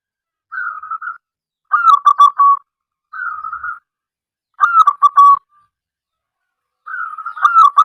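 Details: Local zebra dove (perkutut) singing to lure others: three times a smooth, steady coo leads straight into a burst of quick, staccato stuttering notes, a clear two-part pattern repeated every few seconds.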